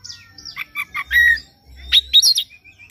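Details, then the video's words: Morning song of an Oriental magpie-robin, used to stir a kept bird into singing: a run of short mid-pitched chirps, then bright high whistles and quick clipped notes, over a quiet low hum. "PANCINGAN KACER PAGI HARI AGAR NGOTOT NGEPLAY BONGKAR ISIAN"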